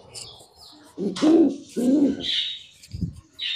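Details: Pet pigeons tending eggs during hatching; two soft, low, rolling coos followed by a brief thud, with faint high chirping from other birds nearby.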